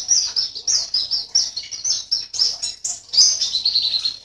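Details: High, thin twittering from a caged white-eye competing in an online song contest, Sambas, West Kalimantan; quick regular chirps roll on for the whole stretch, ending in a bright trilled flourish.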